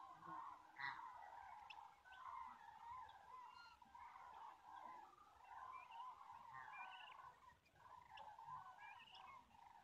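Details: Common cranes on migration in Europe, recorded in September 2016 on a mobile phone: a dense, continuous chorus of many overlapping rolling, trumpeting calls from a flock, with higher yelping notes scattered throughout.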